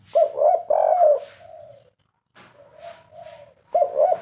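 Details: Caged spotted dove, 'kuk 3' singer, producing soft rolling coos that fade into quieter trailing notes, then resume; faint hiss and rustling noise run through the background.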